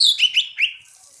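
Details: Oriental magpie-robin, a second bird joining in loud singing with another: three quick, bright whistled notes, each sweeping upward, rapidly delivered within about a second and then fading to quiet.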